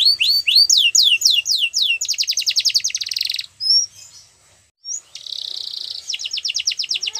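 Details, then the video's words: Yellow canary singing in the wild: descending whistled sweeps, a rapid run of clipped notes, short isolated whistles and a pause, then a buzzy roll and a fast trill. "Yellow canary Singing In The Wild"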